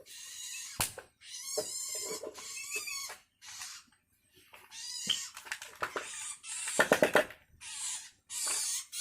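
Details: Hungry long-tailed shrike chick calling for its parent, giving harsh, wavering, rasping calls in bursts of about a second with short pauses, plus a few sharp clicks.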